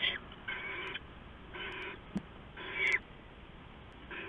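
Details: Owlets and an adult at the nest before dawn on 15 November 2015, during a rat delivery; five rough, hissing screeches sound in turn, the fourth loudest, with a brief click between them and steady background hum.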